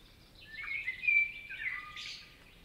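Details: Common blackbird singing in a forest in Spain: a single phrase of mellow, slurred whistles, steady around the middle and ending in a brief higher, scratchy flourish, over quiet woodland background.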